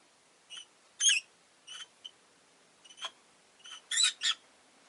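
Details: Pet rosy-faced lovebird uttering short, scratchy high chirps in irregular clusters, some doubled, spread over several seconds with low background hiss.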